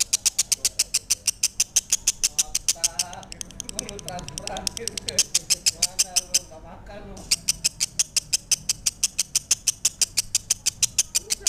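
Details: Lovebird song with rapid, high, scratchy chirps repeated many times a second. People talk in the middle stretch, partly over the bird, and then the chirping resumes strongly.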